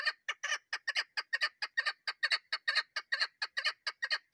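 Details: Calling female chukar partridge, a sound used as a hunting lure: steady run of rough, clucking chuk notes, single and paired, at a quick even pace of over two a second.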